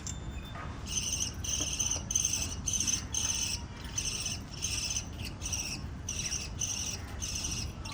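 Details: Chirping from a family of five small lovebirds, a steady run of short grating, buzzy bursts, roughly two per second, with brief gaps between them.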